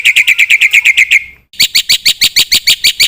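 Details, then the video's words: Black-winged myna song meant to coax singing from other birds: a brisk series of rasping chatter notes, a brief gap, then a louder, harsher run repeated steadily about four times a second. "suara burung jalak putih gacor full isian pancingan masteran ampuh bikin gacor pagi - siang - malam"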